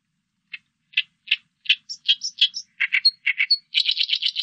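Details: Song of the oriental reed warbler from a 2020 national biological resources recording in Korea: harsh, croaking notes repeated two or three at a time, mixed with high squeaks, then a rapid rattling burst.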